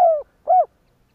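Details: Spotted dove call used to stimulate other doves into cooing. The closing part of a phrase: a long, low, gently falling coo, then a short, rounded, arched coo, with quiet afterwards.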